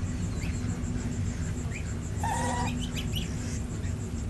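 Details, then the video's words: A domestic gosling at day six on an Indian village farm makes scattered thin rising peeps, then a brief, buzzy, layered call and a cluster of quick chirps, over a steady low hum. "Funny Baby Gosling Day 6 | Gosling | Goose | Baby Goose"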